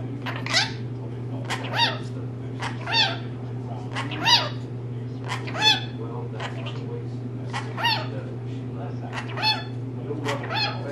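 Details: Indoor pet female rainbow lorikeet chattering in imitation of human speech: short scratchy syllables repeated roughly every second to second and a half, fairly even in loudness, with a continuous low hum behind.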